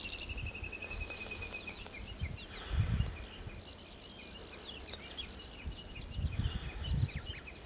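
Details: Black-browed reed warbler singing a busy, chattering run of varied high notes and short trills, the phrases coming in bursts, over steady low rumbling wind noise.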